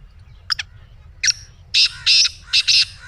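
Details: Black francolin calling, used to stir a pet francolin into calling: faint sharp clicks first, then a rasping note and three loud scratchy, buzzing bursts that grow more intense, over a low background hum.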